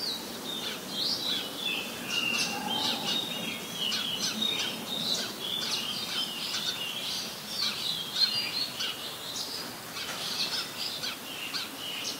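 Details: An adult Red-whiskered bulbul (Pycnonotus jocosus) in Ubon Ratchathani, Thailand, on 16 December 2020. It gives a busy stream of bright, chirpy whistled phrases, fairly high and almost continuous, perhaps with other birds chattering alongside.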